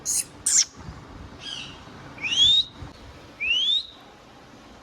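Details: Indian ringneck parrot: two piercing high squawks open, then a faint chatter, then two long, bright rising whistles, with a brief note cut off at the end.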